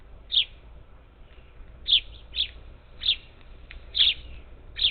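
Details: Up to ten parakeets at a bird feeder on Houston's outskirts, Texas, 27 July 2021; six sharp, high chirping calls roughly every second, steady and evenly loud.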